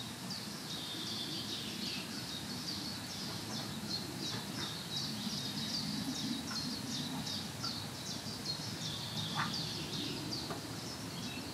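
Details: A green sandpiper at the Im Winkel nature reserve in Lippetal, Germany, at 14:25 on 15 June 2017, gives a long run of high, clipped whistled notes, about three a second, over a steady low rumble of wind or water.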